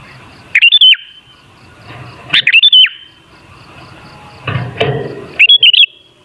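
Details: Sooty-headed bulbul (kutilang) song used as a lure to set other bulbuls singing: three bright whistled phrases, each a quick rising-then-falling warble, spaced about two seconds apart, with a low rustle between them.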